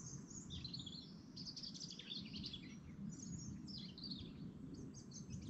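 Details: Morning chorus at dawn, lakeside in the Lake District national park: several birds overlap in busy twittering and warbled phrases over a constant low background rumble.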